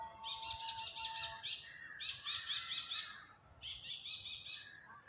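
A parakeet gives loud, harsh screeching chatter in three long grating bursts, with a faint low whistle near the start.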